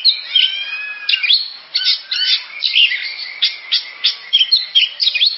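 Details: Oriental magpie-robin sings a rich, varied phrase of clear whistles, quick chirps and slurred notes, delivered in bursts with short pauses, loud and close with a quiet background.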